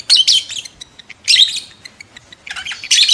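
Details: Lovebird in mating condition, used to stimulate adult lovebirds to mate quickly; shrill, harsh chirping bursts in four clusters, each about a third of a second long, separated by near-silence.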